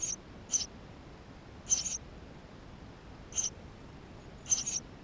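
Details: Eurasian tree sparrow nestlings inside the nest, GoPro, May 2016: about seven shrill, hissy chirps in uneven bursts, some in quick pairs, separated by pauses of up to a second and a half.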